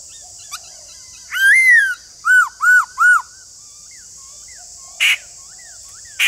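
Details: White-cheeked laughingthrush, a kept bird, played to spur idle birds into singing: one loud arched whistle followed by three quick repeated rising-falling notes, then faint soft whistles and two sharp clicks, over a constant high hiss.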